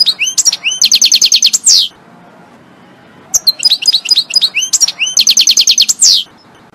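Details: European goldfinch song from a recorded song collection: loud, bright phrases of rapid repeated metallic twittering notes with rising whistles and a buzzy downslurred ending, two bursts separated by a short pause, no other sounds.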